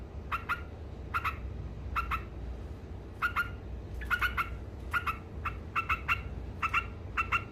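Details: Sooty-headed bulbul giving ngekek song, said to provoke rivals: sharp, rasping, repeated chatter notes, sparse at first and then faster near the end, over a constant low hum.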